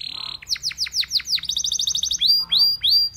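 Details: Belgian canary song meant to prompt other canaries to sing: a rich tone, then a run of downward-sweeping whistled notes, a quick even trill, and slower clear upslurred whistles repeated about three times a second.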